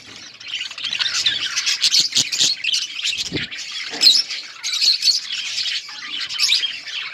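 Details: Budgerigars in a colony chirp as they eat, a continuous mass of high scratchy warbles and sharp squawks from many birds at once, with short clicking bursts.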